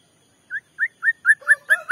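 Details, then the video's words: White-rumped shama song used as a lure to provoke another shama: short rising whistled notes repeated about every quarter second, growing louder and joined by a lower second tone. "Pancingan Murai batu bikin murai emosi"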